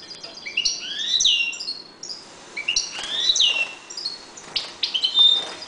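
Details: Caged European goldfinches while breeding: a fast twittering song with rising slurred whistles and liquid chirps, delivered in two main phrases separated by a short gap.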